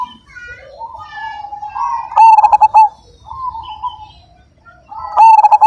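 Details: Big-voiced Majapahit zebra dove singing in the 'kung' style. Soft, drawn-out coos lead into two loud bursts of quick, clipped cooing notes.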